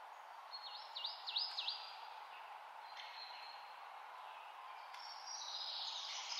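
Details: Taiwan blue magpie, endemic to Taiwan, calling: four quick, high swooping whistles, then a rougher, hissing burst near the end, over a steady outdoor hiss.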